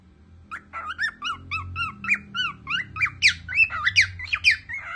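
A cockatiel sings a quick series of whistled, rising and falling notes.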